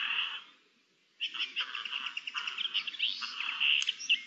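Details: Eurasian jays communicating with each other, recorded 10 May 2021: a brief soft chatter, a second of near silence, then a dense run of varied scratchy, chirping and squeaky notes with a few sharp whistled accents near the end.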